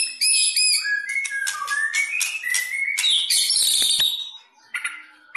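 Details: White-rumped shama with fighting spirit, ready for competition, whistling clear stepped phrases that drop and rise, with loud bright notes, then a pause and a brief final whistle.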